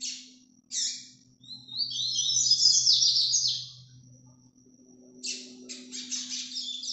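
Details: Paraná vinte vinte song of an azulão (ultramarine grosbeak), recorded live. A short note comes first, then a long warbled, slurred phrase and a quieter broken series of chirps near the end, over a faint hum.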